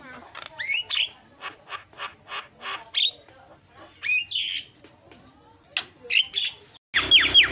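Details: Javan myna lure, played to provoke other mynas: spaced, moderately loud rasping and whistled notes, several in a row, ending with a louder burst of rough screeching.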